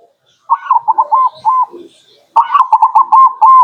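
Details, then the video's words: Local zebra dove song used as a lure for wild birds: two bouts of staccato, bubbling coos, each a quick string of short rolling notes ending in longer held coos. "Pancingan burung perkutut lokal"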